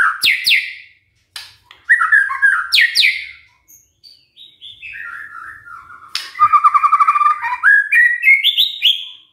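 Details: Used to set other birds singing, this white-rumped shama song mixes sharp high downstrokes, warbled middle phrases, a long descending glide and a fast trill rising at the end.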